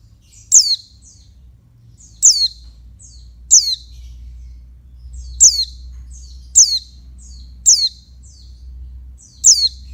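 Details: Calls of a female oriental white-eye meant to stimulate males: seven piercing high downward-sweeping chirps, each with a trailing flick, spaced irregularly over ten seconds, with steady low-pitched hum underneath.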